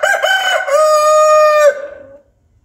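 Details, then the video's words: Rooster crowing in the morning at dawn: a loud, harmonic cock-a-doodle-doo with a short choppy opening, a long steady held note and a falling tail, then quiet. "الديك يصيح صباح"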